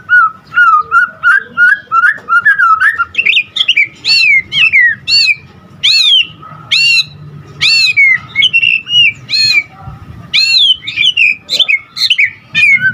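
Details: White-rumped shama in vigorous song rich in varied phrases: a quick run of low whistles, then loud sweeping upslurred and downslurred notes spaced about half a second apart, with occasional chatters.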